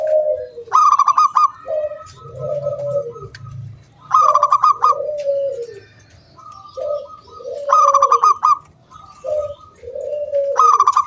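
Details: Wild local zebra dove song meant to get other doves singing; alternating bursts of rapid, ringing staccato notes and low, soft, drawn-out coos, repeating in a cycle roughly every four seconds.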